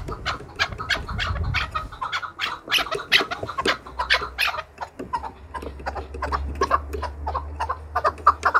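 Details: Fighting-trained Chukar partridge in song to challenge rivals: dense, overlapping harsh clucking notes in an uneven burst, over a low rumbling background hum.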